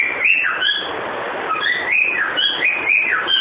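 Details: Pet cockatiel whistling the tune "Ô bate o pé": a repeated melodic phrase of clear rising and falling whistles, each dipping and climbing again, over a steady hissing background.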